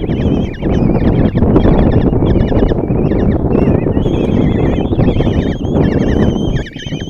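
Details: Five common kestrel nestlings in a nest box at Tiszalök, Hungary, 26 June 2024, begging as their mother feeds them breakfast; wavering high squeals run in bursts above loud, broad rumbling and scraping in the box.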